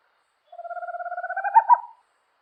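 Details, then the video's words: A single owl trill: quick, evenly spaced pulses holding a level mid pitch, then lifting slightly and closing with two louder notes, roughly one and a half seconds, no other sounds. "Som das Coruja - Canto da Coruja"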